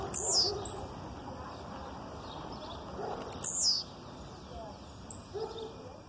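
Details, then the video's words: Aggressive song of a blue-black grassquit, female calls reportedly behind it: two piercing, downward-sweeping high notes about three seconds apart, with soft lower chirps and background hiss between them. "Tiziu canto agressivo com piado de fêmea no fundo"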